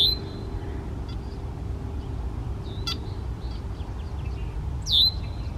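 Red-winged blackbird giving a few sharp, high calls, then a clear whistle sliding steeply down at the end, over a steady low rumble of wind or traffic.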